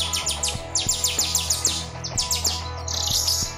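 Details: Grosbeak starling (Scissirostrum dubium), endemic to Sulawesi, recorded as master audio for songbirds: rapid, high, sharply falling chirps, several each second, over a steady low hum.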